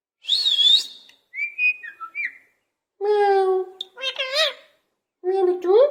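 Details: Talking pet parrot in its cage copying a cat's meow: a high bent whistle, short stepped whistles, then rich harmonic nasal tones that waver and rise like mewing.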